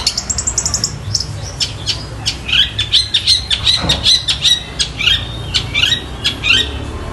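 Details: Long-tailed shrike singing energetically, mimicking fighting sparrows and Tengkek Buto calls: a rapid series of sharp, high chirps and squawky upslurred notes, uneven in rhythm, over a low steady hum.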